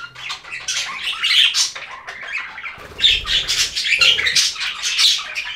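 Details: Budgies kept indoors chattering: continuous scratchy warbling and harsh squawks, with a low fluttering or thumping sound under the middle of the passage.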